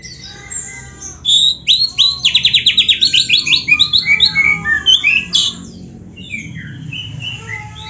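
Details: Kacer, or Oriental magpie-robin, in full song filled with imitated phrases. Fast buzzy trills and rattling note series mix with clear drawn-out whistles, then the song thins into scattered softer whistles.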